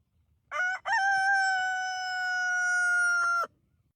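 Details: Rooster's crow: a brief opening syllable, then a long, steady, ringing note lasting about two and a half seconds and cut off abruptly. Faint low background rumble throughout.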